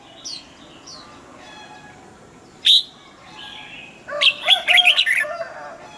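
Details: Cage-kept red-whiskered bulbul: a few thin, scattered chirps and one loud upslurred note, then a longer, busier run of jumbled whistled notes closing the passage.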